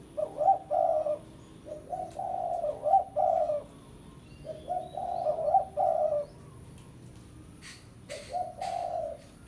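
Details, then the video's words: Spotted dove calling a rival in pesom style; four repeated phrases of low, mellow cooing, each a short lead-in note followed by longer, wavering coos, with a few sharp clicks near the end. "Suara Pikat Tekukur Pesom - Tekukur Pikat Suara Memanggil Lawan"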